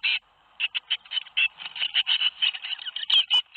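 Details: Tit nestlings calling inside a nest box at Théding, recorded 21 May 2019 during the fledging of seven young. Harsh, buzzy notes come in quick irregular bursts, several voices overlapping, with a few sharper high clicks near the end.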